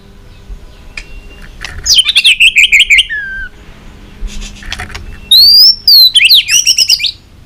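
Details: White-rumped shama, fired up and tail-flicking, in intense competition singing with long, varied forest-style phrases: bursts of sharp high chips, then clear whistled notes sliding down, later a run of rising whistles and quick high trills.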